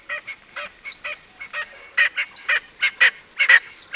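Erckel's francolin gives a loud, harsh, grating cackle: rasping notes repeated about twice a second in an uneven, chattering series.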